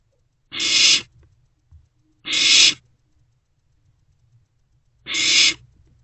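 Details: Owlet gulping a newly delivered rodent inside a nest box at night, 16 March 2024; three rasping screechy hisses at irregular intervals, each roughly half a second long, with soft rustles between.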